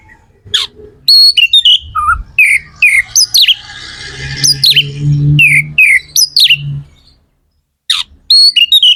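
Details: Magpie-robin song played to fire up other magpie-robins: quick, varied whistles and chirps over a steady low hum in the middle section, then a short silence and more sharp notes.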